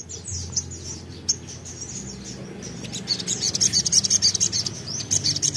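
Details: Crimson sunbird (sogon), a lively, vocal bird whose burst song is used to lure untrained birds into singing: scattered high thin chirps, then a fast run of sharp high notes in the second half, over a low steady hum.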